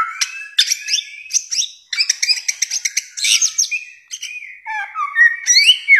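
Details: Bare-throated whistler (samyong), a Nusa Tenggara endemic, sings a dense varied stream of quick chattering notes and whistled slurs, dropping to lower swooping whistles before rising again.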